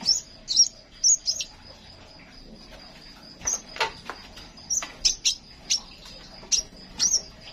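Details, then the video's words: Crimson sunbird song played to prompt caged songbirds to open up and sing: a few bright high twitters, a pause, then a denser run of sharp, piercing chirps, over a faint steady high tone. "Kolibri Sepah raja suara pancing burung bahan yang masih membisu"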